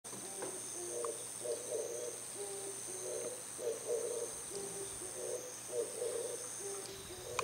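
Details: An Oriental turtle dove calling in the early morning from a house antenna gives low, hoarse cooing phrases in a steady rhythmic pattern, repeated throughout, over a thin constant high-pitched hiss.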